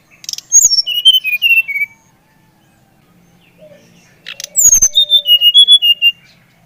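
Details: Two quick whistled phrases from a Bali-type brown-chested jungle flycatcher, sung to encourage other birds to sing; each starts high and slides down through slurred notes, with a soft low whistle and a clack between phrases.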